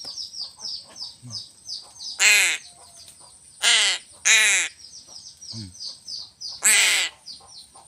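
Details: Crow being fed fish, giving four loud, harsh, drawn-out caws spaced irregularly over eight seconds, with thin high chirping from small birds running steadily behind.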